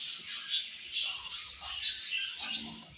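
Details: Several budgerigars chirping during morning feeding: bright, buzzy chatter in short overlapping bursts, with a few sharper squeaks near the end.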